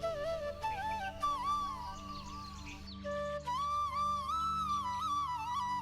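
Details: A flute plays a slow, wavering melody over a steady low drone, with no animal voices heard.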